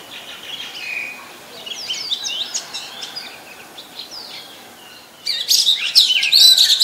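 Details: Common myna at Ubon Ratchathani, Thailand, 15 March 2021, Nikon P1000: scattered high chirps and squeaky notes, then a sudden loud burst of shrill, buzzy chattering near the end.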